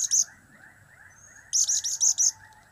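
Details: Blue-crowned hanging parrot using cap-cap, kiak-kiak and crap-crap calls: a short high double chip, then a burst of five squeaky, shrill notes in quick succession.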